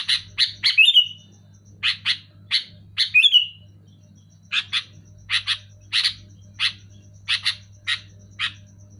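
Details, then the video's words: Loud, clear sooty-headed bulbul: clusters of short, harsh chirps given two to four at a time, twice rising into a brief squealing slur, with gaps between bursts and a constant low hum. "Suara burung kutilang gacor keras jelas"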